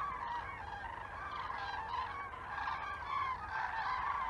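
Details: A flock of common cranes flying over Teruel, Spain, in winter gives loud, rolling trumpeting calls that overlap into a continuous chorus.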